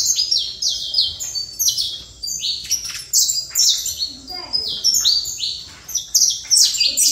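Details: Loud, steady Trator song from a saffron finch: bright, sharply falling high notes strung in quick, rhythmic phrases with almost no background noise.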